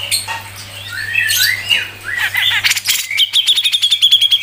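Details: Grey-cheeked bulbul (cucak jenggot) singing in the full 'mbeset ngepik rapet' style: high, sweeping whistled phrases give way to a fast, steady run of sharp ticking notes, with a low steady hum underneath.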